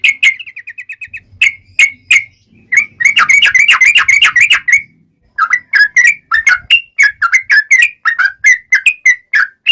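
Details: Sooty-headed bulbul in fighting song of the long rapid 'ropel panjang' style: an opening run of quick identical notes, then dense bursts of loud, sharp, whistled chirps, followed by spaced emphatic notes repeated several times a second.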